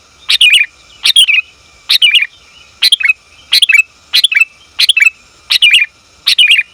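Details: Sooty-headed bulbul female calling for a male: clipped, bubbly double and triple notes falling slightly in pitch, delivered in regular bursts roughly every three quarters of a second against a quiet background.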